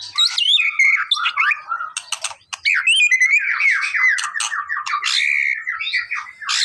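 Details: White-rumped shama song used to provoke a response: loud whistled phrases mixed with dry rattling clicks and buzzy notes, a short pause near the middle, then rapid warbling.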